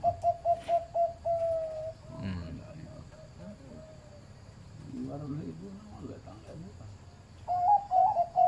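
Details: Zebra dove of medium-pitched voice from a breeding farm: quick, clipped coo notes open the recording, a man talks over a quiet stretch, then another bright run of rolling coos starts near the end.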